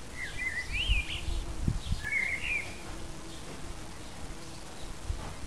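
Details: Eurasian blackbird singing in an English wild flower garden: two mellow, warbled fluting phrases that rise and fall, a pause between them, over a steady low rumble of background noise.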